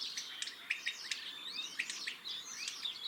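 A common starling's rambling song: a fast jumble of sharp clicks, squeaky rising and falling whistles, and brief grating rattles, all high-pitched and continuous.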